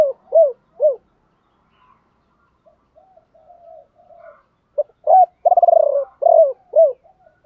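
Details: Decoy spotted dove singing to lure wild birds in the 'ba hậu' style: two arched coos, quiet soft murmurs, then a rising coo, a rapid throbbing trill and two falling coos.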